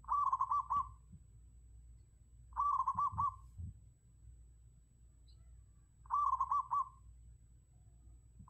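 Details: Zebra dove used as a decoy bird, giving a soft rolling coo near one pitch, broken into quick beads, in three bursts about three seconds apart over a low background hum.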